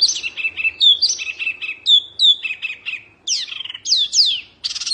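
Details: Lively Oriental white-eye (wambi mini) song meant for teaching cage birds: clusters of high, quick chirps repeated in short phrases, followed by loud sweeping downward whistles separated by brief pauses.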